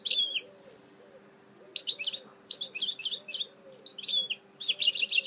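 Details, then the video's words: A mule goldfinch sings in bursts of sharp, bright twittering notes and buzzy slurs, pausing between phrases, while soft low cooing sounds repeat quietly in the background. "Chant mulet chardonneret تغريد هجين الحسون"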